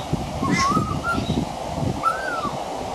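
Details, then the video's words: Male pied butcherbird singing from a veranda, its song mixed with mimicry of other Australian birds: clear fluted whistles gliding up and down around mid pitch, with a pause before a final arching note, over steady low rustling background. "Mimicry of the pied butcherbird"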